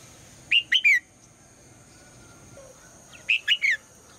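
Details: Female red-whiskered bulbul calling in the morning to prompt the male to sing: a quick phrase of three short whistled notes, each rising then sliding down, repeated once about three seconds later over quiet background.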